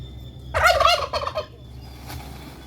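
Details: Single pet turkey kept alone, described as very aggressive and wanting a mate, gives a loud rapid rattling gobble lasting about a second, followed by quiet background hum.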